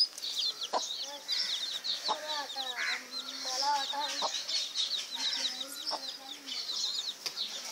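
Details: Dense chorus of high-pitched chick cheeps running throughout, with lower, bending clucking notes in short series near the middle.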